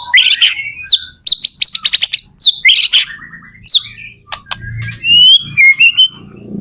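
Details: White-rumped shama song for prompting other shamas to join in answering: loud bursts of rapid whistled notes and clicks, upslurred whistles, short pauses between phrases, with faint low room noise underneath.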